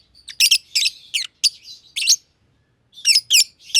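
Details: Two aviary lovebirds, green and green pied personata, calling while at play; piercing chirps repeated about every third of a second, a pause, then another quick trio of shrill notes.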